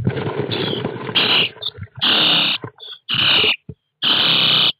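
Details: Common starling nestlings inside a nest box fitted with a surveillance IP camera, 29 June 2017. Loud, harsh, raspy bursts of about half a second repeat roughly once a second, following a rougher jumbled stretch at the start.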